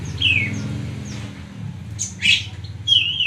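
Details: Oriental magpie-robin singing clear, sliding whistled notes, some falling and some rising sharply, spaced out over three seconds, over a steady low hum.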